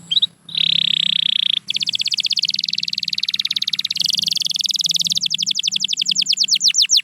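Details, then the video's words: Canary song used to encourage a quiet bird: a steady whistle, then a long rolling trill shifting in speed and ending in fast descending sweeps, with faint low hum beneath. "The Secret Sound That Brings Back Any Quiet Canary"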